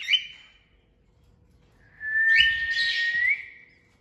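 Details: A brief whistle note, then a sustained whistle from a parrot making natural sounds, held level before a quick upward flick at the close, with breathy noise around it.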